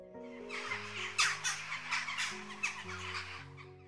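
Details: A Western Jackdaw in the UK gives its most common call, short sharp 'chak' notes, about five in two seconds, over steady background music.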